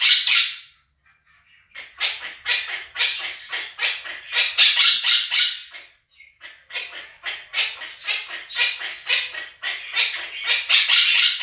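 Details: Two pet Quaker parrots shrieking over recorded budgie flock sounds. Long, relentless volleys of rapid, harsh squawks, with a short silence near the start and another mid-way, then more frantic calling.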